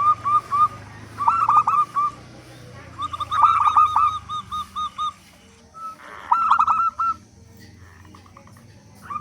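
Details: Local zebra dove with a big voice, played to prompt doves to call: bursts of quick trilled coos followed by evenly spaced soft notes, broken by pauses, over low background hum.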